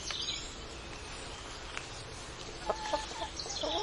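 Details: Chickens on a farm give short, low clucks in a brief cluster late in the recording. Small birds chirp high and thin in the background over steady outdoor noise.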